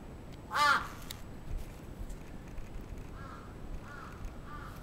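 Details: A crow on the attack in Sapporo's Atsubetsu Ward, Japan, 27 June 2017: one loud, rasping caw, followed after a pause by three softer, more distant caws.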